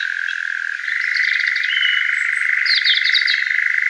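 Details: European nightjar churring in summer from a large oak, gives an unbroken, rapid mechanical churr stepping up in pitch after about a second; small birds chirp above; call stops abruptly as the bird sees someone approaching and flies out.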